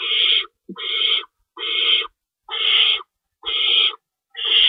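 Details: Nest of owls during a night feeding, 3:53 AM, March 25, 2012, two rabbits kept in the nest; rasping, noisy screeches of about half a second, repeating steadily roughly once a second.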